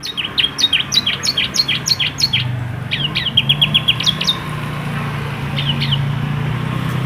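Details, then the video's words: A yellow canary sings bright phrases of quick, high, repeated chirps and trills, broken by short pauses, over a steady low rumble; song used to train young canaries. "Beautiful Singing Of Yellow Canary"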